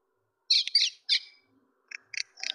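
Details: Common myna calling: three harsh, buzzy, broadband bursts in quick succession, then a pause and a run of shorter clipped chattering notes. No other sounds in the quiet background.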